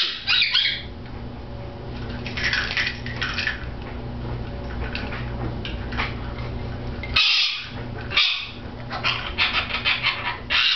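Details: A pet female bare-eyed cockatoo (little corella) attacks her new foraging toy, barking at it: harsh, raspy bark-like squawks in short bursts, mixed with rustling and knocking.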